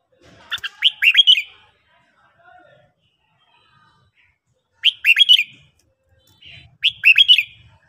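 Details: A morning song from a red-whiskered bulbul in training: three clear, fast, slurred whistled phrases with long pauses, plus a faint low rumble in the background.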